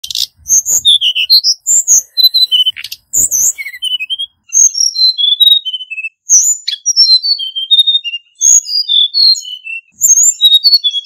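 A hill blue flycatcher sings sweet, high whistled phrases that tumble downward in clear, fast notes, repeated every couple of seconds.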